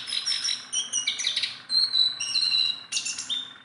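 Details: A tame Sunda bulbul, known as a persistent singer, gives separate high chirps and clear level whistles in short phrases, with small pauses between them.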